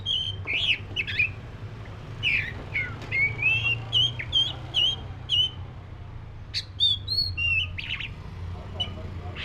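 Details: Black-breasted Oriental magpie-robin in sustained song, a rapid run of varied sweet whistles and short chirps, then a pause and a few sharper high notes, with a low background hum throughout.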